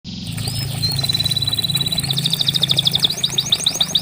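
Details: Canary song used to coax a silent canary into singing: a high sliding note leads into a fast steady trill, then a quicker stuttering trill of rising notes, over a low steady hum.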